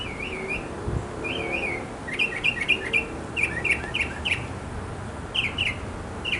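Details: A male mockingbird sings in a backyard to attract a female: warbled, wavering phrases, then clusters of quick high chirps, over a faint low rumble.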